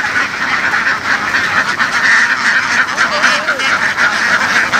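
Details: Hundreds of laying ducks herded in western Vietnamese fields create a harsh, unbroken quacking din; a few clearer drawn-out nasal calls and a wavering higher note stand out in the second half.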